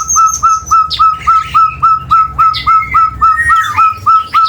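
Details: Chestnut-bellied partridge, endemic to Java, delivering its long call as a rhythmic run of rising whistled notes, roughly three to four each second, over a low background rumble and scattered chirps from other birds.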